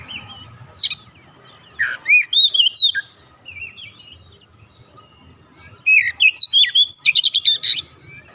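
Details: Oriental magpie-robin (kacer) song: varied clear whistles and slurred phrases with short gaps, ending in a fast burst of sharp repeated chirps.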